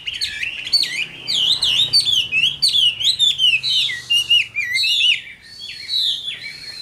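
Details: A caged Chinese hwamei, described as an older wild-caught bird with a good voice, sings a loud, rich run of varied whistled phrases, looping and slurring up and down without pause, with a faint low hum beneath.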